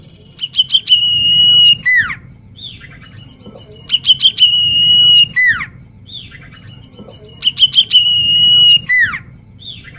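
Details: Common iora singing vigorously, used as a lure recording: a phrase of quick sharp chips leading into a long, level whistled note, then a steep falling sweep, the phrase repeated about every three and a half seconds.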